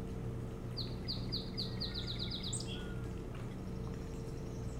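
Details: At a nest on Hog Island near Bremen, Maine, an osprey gives a quick series of sharp high whistled notes that speed up and end in a brief higher note, caught by a nest camera on 25 July 2018, with constant low hum behind.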